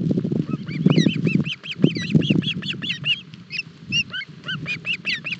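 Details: Osprey chicks at a Barlinek Forest nest on 7 July 2022, feeding on a breakfast fish too big to manage; rapid series of high, slurred whistled chirps, many overlapping, above low thumping and rustling of the feeding.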